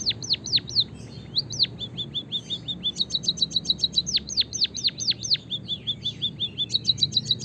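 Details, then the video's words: Chirping of white-headed munia, meant as a lure to get birds singing: high chirps that swoop steeply downward, mixed with flatter ticking notes, in a busy continuous stream over low rumbling background noise. "suara kicauan burung emprit kaji gacor"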